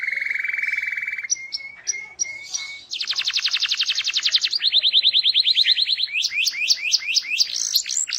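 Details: Canary song meant to make other canaries sing along: a long steady whistled tone, short high notes, dense pulsed trills, then a run of rising slurred notes.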